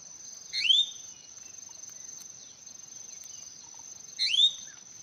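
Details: Hwamei singing: two clear, sweeping upslurred whistles about three and a half seconds apart, each bright and brief, set against a steady high-pitched insect drone.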